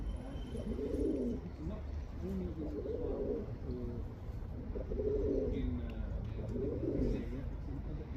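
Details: Male pigeon cooing toward a female: four deep, rolling, bubbling coo phrases at fairly even intervals of about two seconds, clear above a low background hum.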